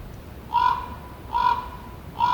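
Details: Common raven giving three short, raspy croaks at an even pace, roughly one every 0.8 seconds, each coarse and throaty over a faint background hiss.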